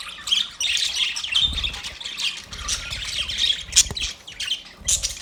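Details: A cage of budgerigars gives rapid scratchy chatter and warbled chirps, with sharp squeaks and a few loud clicks.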